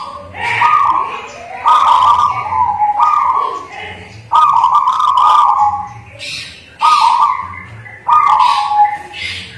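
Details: Native zebra dove, actively singing: a string of roughly one-second coo phrases separated by short gaps, plus scattered crackles and clicks in the background.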